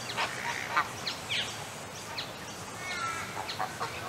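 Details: Cape Barren goose, a bulky grey goose, giving harsh broadband honks and nasal calls at irregular intervals, with chatter of other birds and a busy background.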